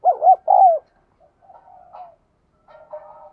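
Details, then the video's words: Spotted dove in the 'giọng đồng kim' bell-like voice style, described as resonant and pleasant. Two loud rounded coos open the phrase, followed by quieter, wavering trailing notes and a faint closing murmur. "cu gáy/ cu gáy giọng đồng kim"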